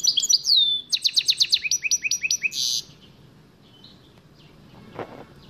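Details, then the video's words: Caged goldfinch mule, a goldfinch crossed with a canary, singing: a bright rising whistle followed by a quick run of sharp repeated chirps and a buzzy burst, then quiet with a faint knock. "goldfinch meul singing"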